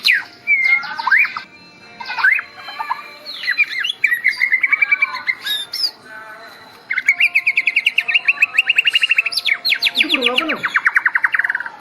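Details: Medan white-rumped shama bowing while singing. Mixed whistles and scratchy phrases lead into long, very fast rattling trills of evenly repeated notes, ending with a dropping slurred whistle.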